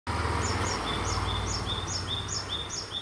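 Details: A Japanese tit (Parus minor) repeats thin, high two-note phrases, a sharp higher note dropping to a lower one, about every half second, over a steady low rumble.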